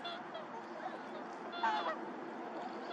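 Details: Mallards (Anas platyrhynchos) fighting during courtship at a reservoir give a brief burst of harsh, nasal honking calls over a steady background of bustling noise.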